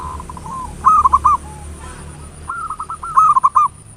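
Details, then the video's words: Ngayer nulop singing of a local zebra dove, a lure to trigger song: two phrases of soft lead-in notes rising into a louder stuttering, rolling coo. "Perkutut lokal PANCINGAN SUARA NGAYER NULOP"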